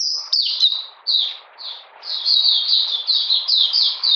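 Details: In cold, rainy weather on 13 June 2020, an Oriental magpie-robin gives a high whistle, then a few spaced down-slurred notes, before settling into a fast string of repeated falling whistles.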